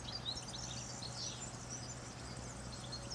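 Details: A European goldfinch sings around eleven in the morning, repeating a phrase: a few sharp, high tinkling notes and rapid twittered trills stand out early, then softer twittering, all above a steady low electrical-like hum.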